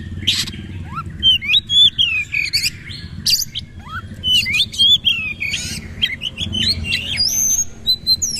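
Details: Oriental magpie-robin singing in an intense bursting style with repeated bowing, pouring out varied whistled slurs, rising and falling notes and sharp chips in a continuous, lively stream.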